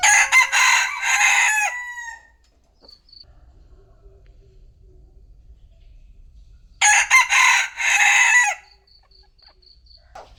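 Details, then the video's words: Midday rooster crowing. Two loud, rasping, multi-part crows about seven seconds apart, each roughly two seconds long with a stepped, falling ending. A quiet, thin, high peep sounds between them over a low background rumble. "Tiếng gà gáy trưa"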